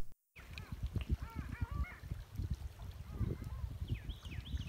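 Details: A flock of Long-tailed Ducks calls on the Niagara River at Stella Niagara Nature Preserve, Western New York, in March 2020, in spring before flying back north. They trade nasal, yodelling notes that rise and fall over low rumbling wind.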